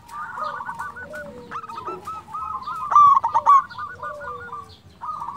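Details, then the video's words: Zebra dove kept as a lure bird, singing: loud jerky coo trill around 3 to 3.6 seconds rising above a dense murmur of many doves cooing and stuttering together. "Perkutut lokal gacor suara merdu cocok untuk pancingan di jamin bikin lawan nyaut"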